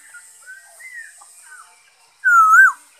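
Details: Black-throated laughingthrush song recorded 5 May 2021: soft faint whistles followed by one loud, long, wavering whistled note with a brief buzzy edge.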